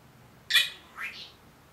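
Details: A one-year-old Senegal parrot, a talking pet that says good morning, gives a single sharp raspy squawk and then a softer upward-sliding note.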